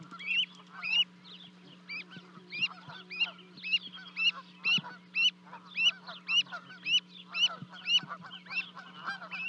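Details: Livecam at a Charlo, Montana osprey nest, 12 May 2020: two Canada goose goslings leap 30 feet down to join Mom and Dad, and a long steady string of high rising peeps follows, nearly two per second, with a low hum underneath.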